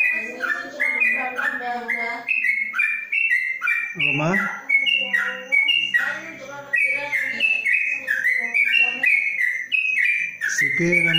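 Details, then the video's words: Long ropelan song from a caged yellow-vented bulbul under a cage cover: dense, continuous chattering whistles tumbling up and down in pitch, with low human voices and background sounds mixed in throughout. "Trucuk Ropelan Panjang dalam krojong"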